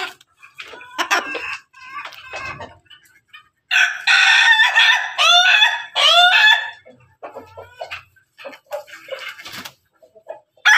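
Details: Pelung and Ketawa roosters, Indonesian chicken breeds, crowing together: quick choppy notes lead into a loud, harsh, drawn-out crow lasting about three seconds, followed by more short broken syllables.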